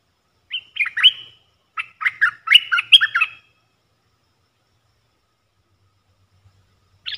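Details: Wild Red-eyed Bulbul drawn to a caged decoy: a lively sequence of chirpy, slurred notes over about three seconds, silence, then one clipped note at the end.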